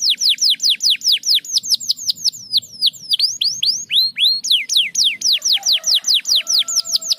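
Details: Canary song to spur lazy canaries into singing: long quick string of falling whistled notes, a few rising slurs, then faster repeated sweeps with faint lower tones behind.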